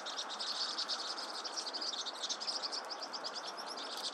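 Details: Vinous-throated parrotbill: dense, scratchy, high chattering of rapid ticking notes, continuous and slightly louder than the background hiss.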